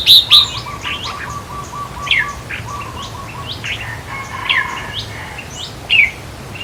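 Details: Red-whiskered bulbul song used to stir caged birds, with scattered short chirps and whistles over a steady background drone and a low repeated ticking.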